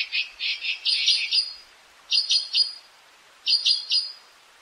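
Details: Rapid chattering series of harsh, buzzy notes from an azure-winged magpie, followed by two short triplets of rasping calls.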